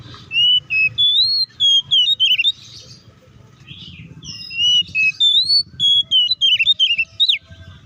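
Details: Oriental magpie-robin singing hard in fighting mode to provoke others of its kind: two dense runs of loud whistles, swooping and trilling, each about two and a half seconds, over a faint low rumble.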